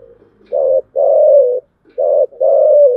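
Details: Spotted dove (cu gáy) giving the thổ style of chiêu gù coo: deep, hollow phrases, a short coo followed by a longer drawn-out coo, repeated twice, in clean quiet surroundings.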